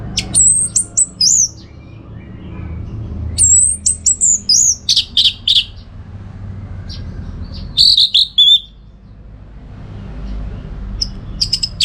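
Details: Orange-headed thrush contest-training song: three separate high phrases of thin whistles and rapid clipped notes, each lasting about a second, spaced by quiet pauses with a low background murmur.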